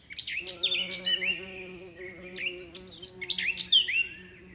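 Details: Sharp rising and falling bird chirps, high and quick, repeated steadily above a continuous low humming drone, with wind moving the leaves.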